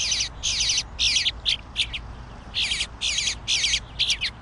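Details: A bluebird fledgling demands food, giving harsh, raspy high bursts about half a second long, repeated in quick runs with brief pauses, over a faint low hum.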